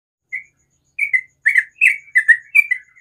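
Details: Sooty-headed bulbul singing in the morning: short bubbly notes spaced out, first one alone then a run of paired, slurred chirps repeating about every third of a second.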